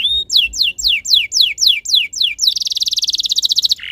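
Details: Canary tutor song for teaching other canaries to sing: a steady series of eight descending whistled sweeps about four per second, then a fast bubbling high trill and a lower closing note.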